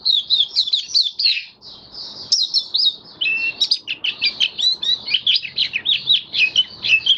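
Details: Caged white-eye (mata puteh) in open "buka" singing style after deworming treatment, recorded 18 May 2022: a continuous high, rapid warble of twittering and sweeping notes with brief pauses, little other sound.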